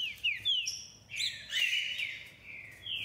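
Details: Songster trinca-ferro, the green-winged saltator, delivering a rich run of loud whistles: quick downslurred notes at first, then a longer sweeping, warbled phrase that fades and is picked up again at the end.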